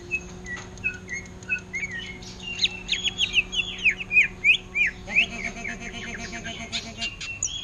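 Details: Greater green leafbird in ngentrok style copying the orange-headed thrush. Short whistles build into a fast, jumbled run of sweeping, slurred notes and chirps, with a steady low hum in the background.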